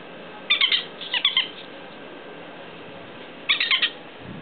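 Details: Two bird chicks in a backyard off Adelsgatan in Visby give short, harsh, buzzy squeaky calls in clusters of three or four notes, with pauses of about a second and a half between clusters.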